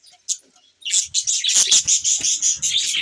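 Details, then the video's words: After a single early chirp, morning budgerigars break into a dense, loud run of high, raspy warbling chatter. "good morning budgies Parrot 🦜🦜 Bueatiful Sounds morning"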